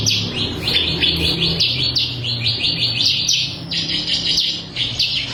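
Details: Steady, fast, high-pitched chirping from a crystal-variety bar-winged prinia, meant as a tutor song for birds, runs in even pulses throughout, with a faint low hum underneath.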